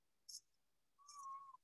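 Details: A gnatcatcher on a habitat preserve gives its call: one drawn-out, nasal mew like a tiny kitten, held for about half a second after a brief high tick; otherwise quiet.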